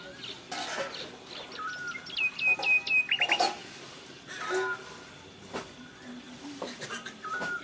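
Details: Bulbul singing: bright whistled notes, a quick stepped run of clear chirps around the middle, then scattered shorter phrases, with busy background chirping and broad rustling noise throughout.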